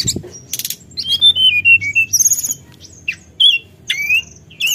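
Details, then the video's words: Calls of a forktail meant to stir up a rival: high buzzy bursts, then a run of downward-slurred whistles, followed by scattered sharp upslurs and thin high notes after brief pauses. "suara tledekan gunung memancing emosi lawan"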